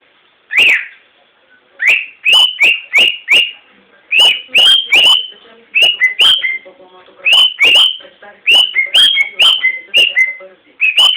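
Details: Pet cockatiel singing: a run of bright whistled notes, many sliding up then leveling, delivered in quick bursts of two to five notes separated by short pauses, with a few lower warbled notes between phrases.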